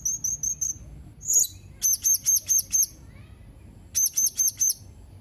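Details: Serindit (blue-crowned hanging parrot) on 31 March 2021 gives sharp, very high chip notes in quick runs of four to five, with one louder squeal between runs; quiet low background.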